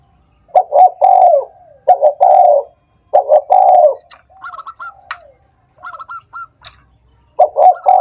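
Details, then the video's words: Spotted dove calling to rouse lazy, silent doves into song: brisk coo phrases of two short notes plus a longer one, repeated four times, with softer distant coos and a couple of sharp clicks in a gap. "suara PERANGSANG burung tekukur yang malas dan macet bunyi"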